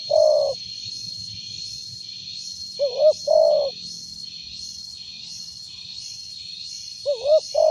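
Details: Spotted dove with a loud voice, used as a lure, giving short mellow coo phrases in pairs every few seconds, over a steady high electronic whine and pulsing insect-like buzz.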